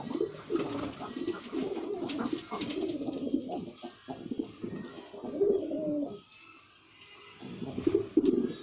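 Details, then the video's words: Performing male white pigeon gives continuous low, rumbling coos in long rolling bouts, a short quiet gap, then another throaty swell near the end. "Pigeon Sound Effect || Male Pigeon Super Performance || White Pigeon"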